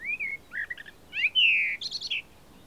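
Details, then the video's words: A common blackbird sings in spring, late April to early May 2022, at Baie d'Audierne, Finistère, Brittany, France: a short phrase of mellow fluted whistles and a few quick notes, ending in a higher, squeaky twitter, over faint hiss. "MERLE NOIR (Turdus merula) Chant"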